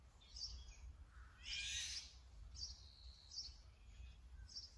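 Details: Brown-eared bulbul, filmed on a Sony camera with a 200-600mm lens, gives one loud, rasping, shrill screech lasting about half a second. Soft high whistles and chirps from other birds sound before and after it, over a faint low hum.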